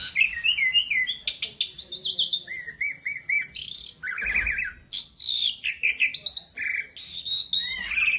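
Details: Learner Asian pied starling pouring out a continuous varied song of chattering trills, repeated whistled motifs and buzzy bursts, clear and close.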